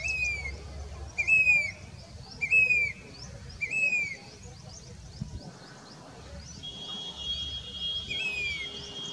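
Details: Grey-bellied cuckoo, also called Indian plaintive cuckoo, a monsoon migrant recorded in July 2021 at Danta Ramgarh, Sikar, Rajasthan, India: clear high whistled notes, slightly descending, repeated about every 1.3 seconds, then a steady thin tone and soft background voices.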